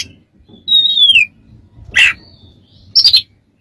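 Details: Oriental magpie-robin song for training and therapy: one long whistled note gliding downward, a harsh rasp, then a short buzzy double note.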